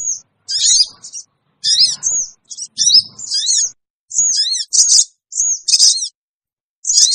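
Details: Sooty-headed bulbul lure call: short, separate bursts of high, harsh squeaks and thin whistles, roughly one every half second, with faint low noise in places.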